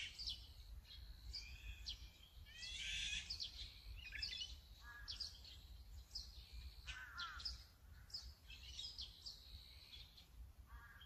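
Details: Azure-winged magpies in Korea or Japan calling over about eleven seconds: a string of rasping, buzzy notes and short chatters, one louder grating burst near the start and a descending squeal later, over steady low rumble.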